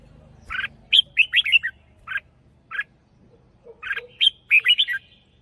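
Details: Red-whiskered bulbul kept in a cage as a hunting decoy. It sings two jaunty clusters of clear, rolling whistles, separated by single sharp chirps and brief pauses, in a quiet setting.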